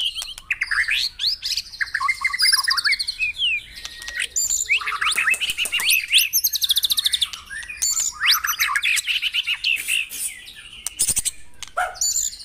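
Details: Continuous, rich white-rumped shama song at dawn, played to get caged birds singing: dense tumbling phrases of whistles, chatters and buzzy trills, loud throughout with hardly a pause.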